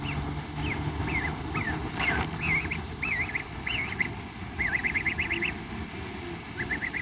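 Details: Young gosling running excitedly toward a familiar person, giving thin whistled peeps that rise and fall, gathering into a quick wavering trill, over steady low rumbling background noise.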